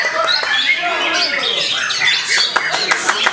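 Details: White-rumped shama, possibly from Bali, sings a rapid, varied run of bright whistles and chattering notes in a full-length song, with human voices talking over it.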